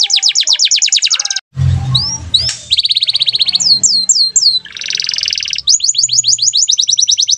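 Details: Atlantic canary singing in a gacor style, recorded for use as a training song for other birds: rapid trills of repeated downswept notes, upslurred whistles, a buzzy rattling phrase and a brief low thump mid-song.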